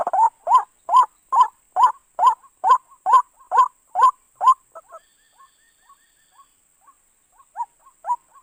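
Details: White-breasted waterhen call used as a lure for trapping: a fast series of loud, harsh, croaking notes repeated about twice a second, then softer scattered clucks and short notes trailing off.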